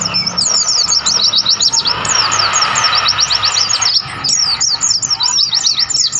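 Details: Several wild mountain white-eyes on Mount Lawu, Tawangmangu, in mountain habitat, chatter together in a dense stream of high, quick, thin chirps and twitters over a soft background hiss.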